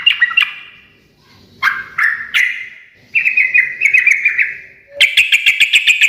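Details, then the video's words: Ngekek garuda song of a sooty-headed bulbul, meant to draw instant replies from other birds: separate bubbly bursts with gaps of silence, then a quick string of sharp repeated chirps at the end. "kicau suara trucukan gacor ngekek garuda menjadikan burung nyaut seketika"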